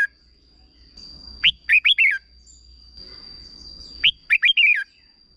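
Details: Red-whiskered bulbul short 'berb' song used to train young birds, two quick phrases of five lilting whistled notes about two and a half seconds apart, a steady high whine throughout.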